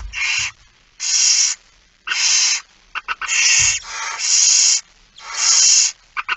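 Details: Begging barn owl at feeding, It Fryske Gea, 13 September 2019, 06:57; loud hoarse hissing screeches, some with clipped stuttering starts, repeated about once a second, with a low bump.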